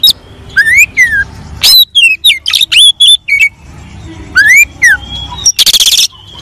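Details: A singing Oriental magpie-robin gives a varied, loud string of clear whistles, slurred rising notes and harsh buzzy bursts, changing phrase every half second. The recording is meant as a lure to prompt idle male magpie-robins to sing.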